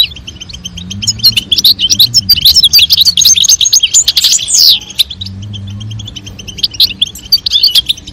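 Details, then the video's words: Male European goldfinch singing to stimulate mating as the female calls: a sustained run of rapid, liquid twittering and tinkling notes for about five seconds, followed by quieter scattered chirps. "نذاء أنثى الحسون وتغريد الذكر لتزاوج La llamada del jilguero hembra y el canto del macho"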